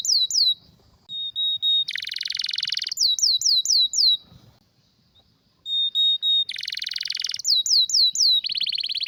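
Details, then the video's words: Canary tutor song, strong and rare: falling whistles, a level pure tone, a harsh wide buzz, a run of descending sweeps, then after a silent pause the same sequence repeats and ends in a rattling trill. "Canário com Canto Raro e Forte – Ótimo para Seu Mestre Canário HD - CANARY SOUND MELODY"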